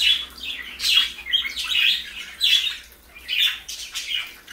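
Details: While parakeets eat lettuce, warbling chirps and squawks repeat about once a second, some notes sliding up and down.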